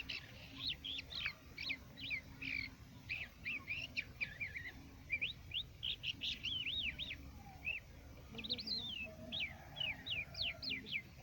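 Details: Quetta crested lark in full song, a dense, varied stream of quick chirps and slurred whistled notes tumbling together, briefly pausing mid-phrase before another rapid burst of rising and falling notes.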